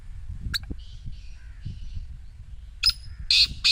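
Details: Low murmuring and faint rustling give way to a black francolin call near the end, a clipped note then two loud grating bursts, offered as a sound to get a silent partridge calling.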